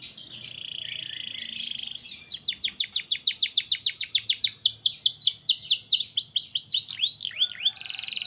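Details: Canary tutor song for young birds: an opening buzzy trill, then a long run of repeated arched chirps and mixed twittering, ending with another high rapid trill.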